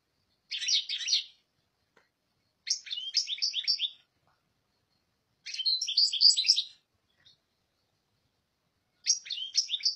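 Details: European goldfinch singing in four bright bursts of rapid, tinkling twitters and buzzy chirps, each lasting about one to one and a half seconds, separated by silent gaps of one to two seconds.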